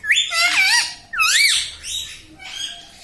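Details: Pet ringneck parakeet, rose-ringed, which speaks mummy, papa and radhe; two strong wavy harmonic voice-like calls, then a fainter third phrase.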